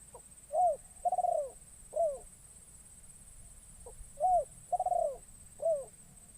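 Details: Caged spotted dove used as a decoy to lure wild doves in the forest, its first outing; two phrases of soft cooing, a short note, a long burred coo and a clipped final coo, with steady faint hiss.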